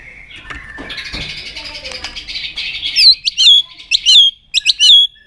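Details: White-rumped shama, in a recording meant to rouse the bird to sing often and flick its tail: faint busy twittering for three seconds, then loud, clear whistled phrases with sharp upward and downward slides, repeated about every half second.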